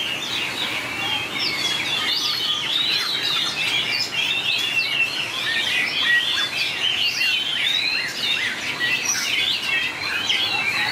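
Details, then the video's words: White-rumped shama contest singing, long varied phrasing: rapid overlapping whistled notes and upward-flicking slurs pouring out continuously at an even volume. "Tuyển tập chòe lửa hót đấu Bộ đẹp,nết chơi đẹp,đảo giọng dài hay nhất 2019║Suara murai batu gacor"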